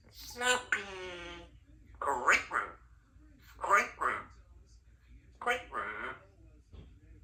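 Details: A 3-year-old female Congo African grey parrot at home talks in short, speech-like phrases with clear harmonics, about four bursts across seven seconds, with a quiet room hum beneath.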